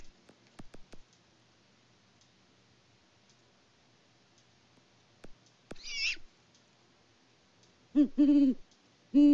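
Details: Farm live-cam recording from Peabody, Kansas, in February, of a mated pair of great horned owls hooting together: mostly near-silence with scattered clicks, one brief harsh burst, then a few loud, deep hoots near the end.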